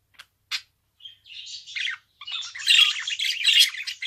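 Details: Two short clicks and a thin whistle lead into a budgerigar's steadily building warble, ending in loud, continuous scratchy chatter with harsh peaks.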